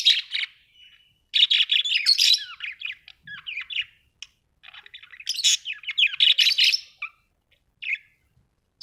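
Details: Budgerigars warbling with long busy runs of scratchy chatter and twisting whistled squiggles, dense stretches alternating with sparse single chirps.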